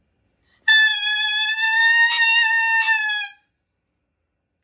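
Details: A single sustained brass-like musical tone plays for nearly three seconds in a quiet room, with no animal sound.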